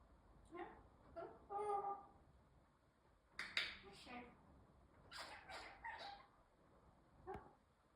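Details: A pet African grey parrot of the Congo type gives a few whistled, speech-like notes, then harsh, rasping squawks in short bursts, indoors in a small room.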